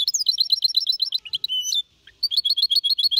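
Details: Four-and-a-half-month-old goldfinch hybrid in clean Malaga-copy song. Fast series of repeated chirps, about four a second, with a drawn-out whistle, a brief pause, then another rapid chirp series.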